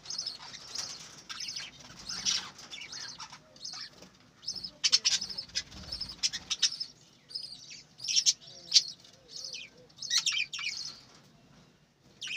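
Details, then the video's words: Budgerigars chirping in a lively chatter of short high twittering notes and warbles, coming in bursts with brief quiet gaps, and several birds calling over one another. "বজিগর পাখির ডাক । পাখির কিচিরমিচির শব্দ"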